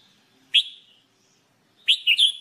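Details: Red-whiskered bulbul song for training: a single sharp whistled note, then a quick cheerful triple-note phrase just over a second later, clean with little background.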